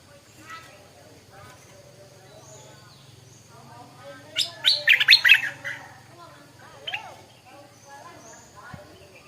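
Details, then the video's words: Stripe-throated bulbul singing in the morning: a burst of loud, rapid bubbling notes around the middle, with faint chirps before and after and a low steady hum beneath. "เสียงนกดอกแตงEp.142 กินกาแฟฟังเสียงนกต่อเจ้าตัวเล็กยามเช้า(Stripe-throated Bulbul)"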